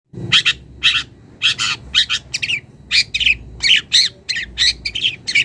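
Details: Young wild long-tailed shrike calling a rival and starting to reveal mimicked notes: a steady series of harsh, scratchy, broadband bursts, about two per second, with a faint low hum underneath.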